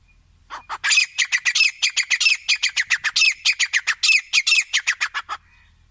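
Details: A grey francolin gives an extended burst of loud, grating, rapid notes, roughly four per second for about five seconds, harsh and screechy throughout, then falls silent against a faint low rumble.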